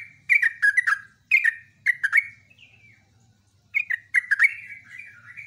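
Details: Sooty-headed bulbul in full loud song, with quick clusters of three or four bright, slurred whistles. A short pause separates the clusters, then a rising trailing note leads into another rapid run. A faint low hum runs underneath.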